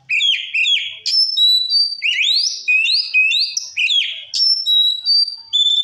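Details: Continuous white-rumped shama song meant to provoke other shamas: strong whistled phrases repeating rapidly, sharp upward flicks followed by level fluty notes and swooping slurs, clean and unbroken for several seconds.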